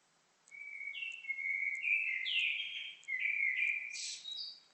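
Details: Bird song of sustained whistled notes sliding upward in steps, broken by short pauses, ending in a burst of higher, buzzier notes, with faint background hiss.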